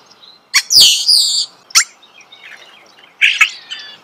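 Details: Starling singing close up: a sharp click, then loud, slurred whistles with buzzy edges for about a second, a pause, a lone snap, and a second raspy, chattering burst near the end.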